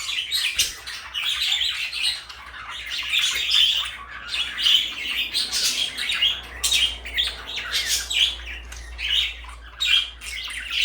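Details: A blue and a light yellow pet parakeet chatter continuously indoors, high twittering notes mixed with sharper squawky bursts, the calls overlapping in an almost unbroken run of rapid warbles.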